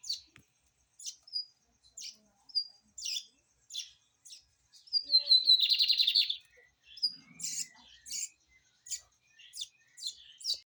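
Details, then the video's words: Lined seedeater kept in a cage, delivering spaced high chirps and short whistled slurs, broken midway by a loud rapid buzzy trill lasting over a second, then more sharp chirps and squeaky notes. "Bigode toop"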